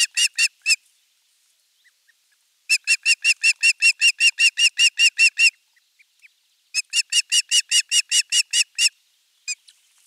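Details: Osprey at its nest in Finland, filmed by nest camera 3 on 23 June 2020 on a morning when a half-kilo crucian carp was brought as fish. Three bursts of sharp, harmonic, whistled notes, rapidly repeated, separated by short silences.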